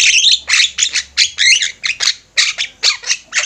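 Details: Master recording for training birds of a vocal flock of Javan mynas: loud, grating chatter of scratchy, high squawks in tight bursts, each lasting a fraction of a second, with brief pauses between clusters.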